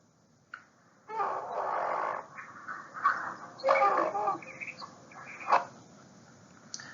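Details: Great blue heron (Ardea herodias) call, played back in a small room: a long, harsh, raspy squawk, then several shorter guttural croaks.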